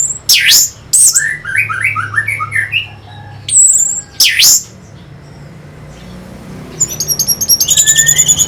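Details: Orange-headed thrush lure song to stimulate fighter birds: loud harsh squeals, a neat descending-ascending run of short whistled notes, more squeals, then a quiet pause and a fast high trill.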